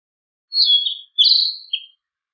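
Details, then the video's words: A Narcissus flycatcher sings three rich whistled phrases, the first two long and warbling, the last a brief lower note, clean and free of other noise. "キビタキの美しい囀り02 癒しの鳴き声"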